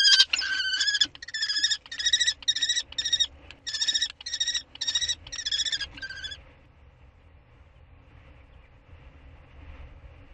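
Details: Common kestrel during prey handovers on 2 May 2013 giving harsh, shrill repeated notes, about two a second, for six seconds, then falling quiet over a low background hum.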